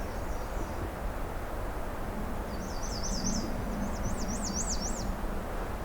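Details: A Black-and-white Warbler sings in June along a rarely hiked riverside trail, a high, squeaky string of repeated two-note 'wee-see' phrases, less thin than usual and nearer a redstart's tone, over steady low rumbling background noise.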